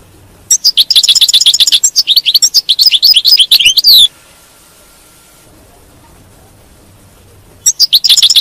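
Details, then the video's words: Goldfinch twittering song in the batbata style, to encourage a captive goldfinch to sing on: a lively three-and-a-half-second run of rapid, tinkling, buzzy notes, then a long quiet gap before another phrase begins. "تغريد الحسون، بتبته الحسون، لجعل حاسونك لا يتوقف عن التغريد"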